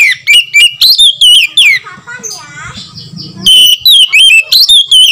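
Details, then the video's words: Lure call of a white-rumped shama, played to make other shamas sing and spread their tails: rapid loud whistled notes and chips, a quieter warbling pause with low hum, then whistling resumes. "SUARA PANGGILAN KACER | KACER LAIN SEKETIKA IKUT GACOR DENGAN PANGGILAN KACER INI"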